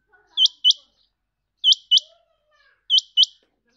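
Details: A pet rain quail gives sharp, high, metallic double notes, 'which-which', three pairs about one and a quarter seconds apart, with nothing else in the background.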